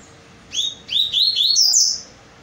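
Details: Double-collared seedeater singing a quick run of clear, high whistled notes, some slurred and rising, others sharp and falling, ending in a bright sustained phrase, against a quiet background.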